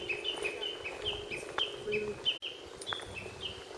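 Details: Unseen lesser cuckoo singing at Akiyoshidai, Japan, delivering rapid clipped whistles that step up and down in a brisk, repeated pattern, with a constant droning hum beneath and a brief break in the sound midway.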